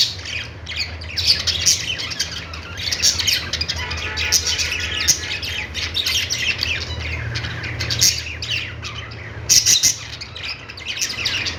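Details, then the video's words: Parakeets chirping and warbling nonstop, a dense mix of high twitters and harsher squawky notes from several birds, with a low hum in the background. "Budgies singing |budgies sounds | parakeet chirping sounds"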